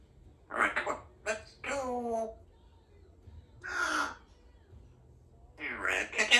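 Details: Female Congo African grey parrot, a pet kept in a country home, chatting while practising her words indoors: several short bursts of hoarse, speech-like syllables with rich harmonics, separated by brief pauses, in a quiet small room.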